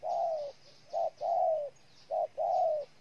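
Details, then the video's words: Spotted dove from Ninh Thuận, Vietnam, cooing: low, hollow notes, each a short note followed by a longer, slightly falling coo, repeated in a steady pattern over a quiet background. "Cu gáy Ninh Thuận"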